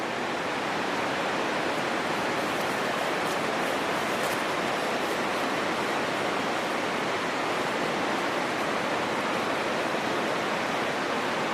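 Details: Steady broadband rushing noise like flowing water or surf, with no animal calls heard.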